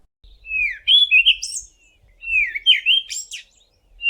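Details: Cape Robin-Chat (Cossypha caffra), a common garden bird of the Eastern Cape, South Africa, singing two rich, warbled whistled phrases about two seconds apart, each a run of sweet notes sliding between mid and high pitch.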